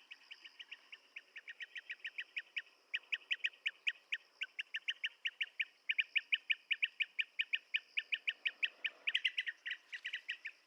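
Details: Blue-tailed bee-eater calling in a long, rapid stream of trilled chirps, some overlapping as if more than one bird, with a constant buzzing insect background.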